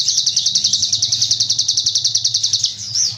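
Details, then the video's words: Tutor-recording song of a cigun: a sustained, sharp, very high trill of rapid, regular pulses, roughly twelve each second, for over two seconds, ending in a brief upward-slurred whistle, with a low steady hum in the background. "MASTERAN CIGUN BREM"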